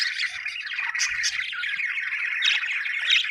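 Budgerigars chatter nonstop in a dense, scratchy warble of fast chirps and squeaks, rising and falling in pitch, with sharper squawks breaking through.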